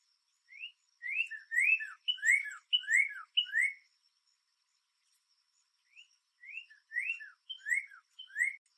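Northern cardinal song: two bursts of loud, clear whistles, each note slurring sharply downward in a quick repeated series, with a short pause between phrases.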